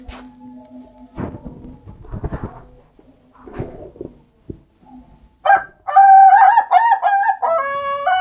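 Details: Ayam ketawa, the Indonesian laughing chicken, crowing: after scattered knocks and murmurs comes a loud stuttering crow of broken, wavering notes, rising and falling for nearly three seconds.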